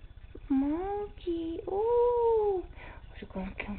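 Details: Indoor pet Quaker parrot, a male hiding from a toy monkey, producing long, tonal, voice-like notes that swoop up and arch down, followed by a few short choppy sounds; the owner's voice is heard around it.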